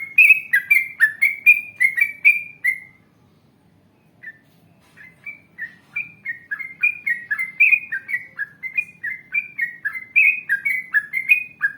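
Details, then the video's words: Yellow-vented bulbul singing long runs of rich whistled phrases, recorded as a lure to get other bulbuls calling back: quick rolling slurred notes, a pause of about two seconds with one stray note, then the run resumes, clean background. "Masteran Trucukan Gacor Ngalas Panjang Ropel Panjang ❗Ampuh Untuk Pancingan Trucuk Agar Bunyi Nyaut"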